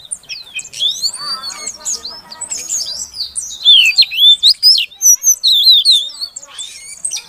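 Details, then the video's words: A female Oriental magpie-robin calling so a silent male will sing: varied chattering and slurred whistles at first, then loud, evenly spaced bright whistled notes in a quick series. "Suara Kacer Betina Untuk Pancingan Kacer Jantan Yang Macet Bunyi Agar Gacor"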